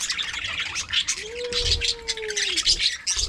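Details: Budgerigars chatter in an aviary colony with high squeaky twitters and trills throughout. A separate smooth, low, level whistle-like tone runs for about a second and a half under the chatter.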